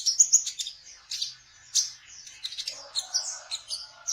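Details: Sunbird, locally called kolibri ninja, sings trotol-style as a lure for catching young birds: dense, high chirps in rapid bursts, with a soft lower hum underneath in the second half.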